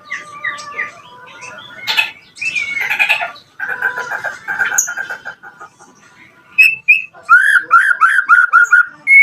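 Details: White-rumped shama singing to prompt other birds to respond, meant to challenge rivals: a cluttered, chattering stretch of mixed notes gives way to loud, clear whistled slurs repeated quickly in a run.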